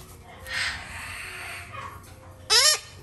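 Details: Male Red-shouldered macaw chick, still hand-fed three times a day, in a shop: a softer hoarse note, then one loud, harsh, rasping squawk near the end, over faint indoor background noise.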